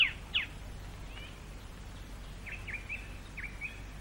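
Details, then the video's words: Plain babbler in Malayan rainforest, recorded late 1950s–early 1960s, singing its more forceful later-in-the-day song: short slurred whistles, some falling, some rising, with chattering notes, about every half second over a steady low hum. "later in the day the plain babler goes over to a more forceful type of song interspersed with chattering notes [Music] [Music] o [Music] [Music] [Music] I d I"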